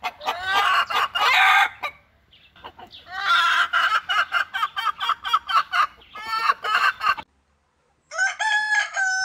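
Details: Domestic chickens with chicks at home: a series of harsh, rapidly pulsed cackling calls in several long bursts, with a short gap followed by a clear higher-pitched harmonic call near the end.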